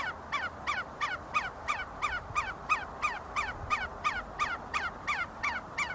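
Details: Feeding and fighting see-see partridges inside Sulaimani university grounds, Kurdistan, produce a regular run of clipped, falling two-part notes, close to three per second, continuous throughout.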